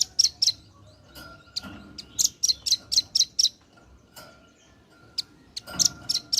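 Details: Red-billed nuthatch, a male calling its companions: rapid high, sharp chipping notes in short uneven runs, one longer series of about six notes, with quieter single notes between and a low background hum.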